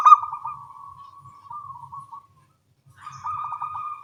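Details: Local small-voiced zebra doves calling back and forth in the morning: a sharp coo leading into a long, soft, even tone, silence, then a second stuttering, wavering coo.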